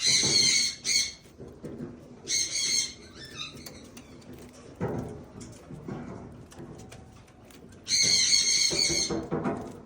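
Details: Blue eared pheasant enjoying green grass; rough squawks in double bursts, with softer chattering notes and low bumps between them, and a long loud squawk run near the end.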